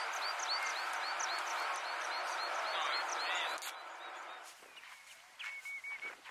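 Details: Black guillemot of the Icelandic subspecies islandicus, on Flatey, Iceland, in June 2019. Thin, high, upslurred whistles repeat rapidly over loud, broad rushing noise, which later eases before a sustained piping note.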